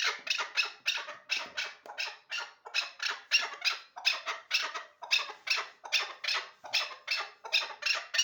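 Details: Hybrid chukar partridge described as the best bird for hunting; harsh, hissing broadband bursts in pairs and triplets, repeated steadily about twice a second for the whole recording.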